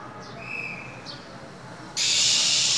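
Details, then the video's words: Caged female than bird in a cold winter, calling to rouse a male: soft thin whistled notes, then a sudden loud airy hiss lasting about a second. "Than mái khè, rít liên tục"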